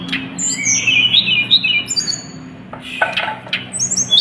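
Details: Hill blue flycatcher singing in a recording used to prompt other birds to sing: quick clusters of bright chirps and high thin whistles, with a brief lull mid-way before whistled phrases resume.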